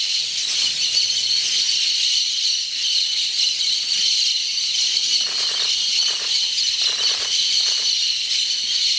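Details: Cobalt-winged parakeets, hundreds at a clay lick in the Ecuadorian Amazon: a deafening steady wall of shrill, overlapping chatter and squeaks, with a few harsher, louder squawks breaking through near the end.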